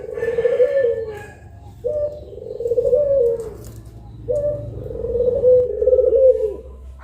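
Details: Two puter pelung doves cooing in the middle of the day for song training: three long, smooth, throaty coos, each opening with a sharp onset and then wavering slightly, against a quiet low hum.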